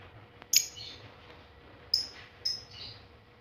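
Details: Young Balibu lovebird learning to chatter, used as a lure to make other lovebirds respond: three sharp, piercing high shrieks, spaced irregularly over background hiss.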